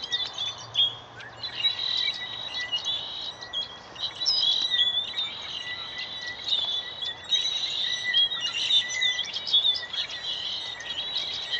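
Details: Many birds chatter in a tree near a classroom around 4:45 pm MST as sunset approaches, a continuous dense mix of high chirps, twitters and short whistles overlapping throughout, with a steady background hiss.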